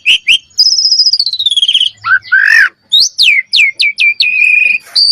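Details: Common myna calling: a rapid rattling trill, then falling whistles, croaks and a string of sharp downslurred whistled notes, ending in a high buzzy note.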